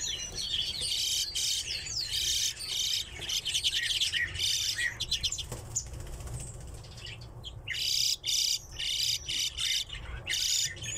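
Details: Kept redpolls chattering: dense bursts of high, twittering and trilling notes, with brief rising whistles and short pauses between the flurries.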